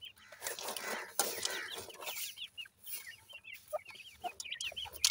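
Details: Francolin chicks at feeding time, their high, slurred cheeps repeated in a busy string over a hiss of rustling and scratching.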